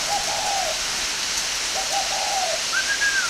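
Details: Spotted dove from northern Vietnam, kept at a Ba Vì, Hanoi bird farm. Two low, smooth coo phrases are followed by a higher, clear, drawn-out note, heard over a heavy hiss.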